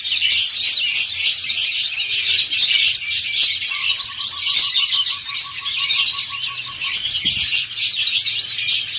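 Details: A chorus of white-eyes, dakun and montanus types, sings ngriwik together. Thick, high chattering and twittering runs throughout, and a short series of evenly spaced lower ticking notes appears in the middle.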